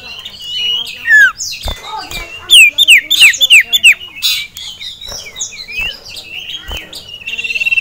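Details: Agitated caged male Ashy Tailorbird facing a rival and a female, with a burst of clear downslurred whistles in quick succession over a background of mixed bird chatter and clicks.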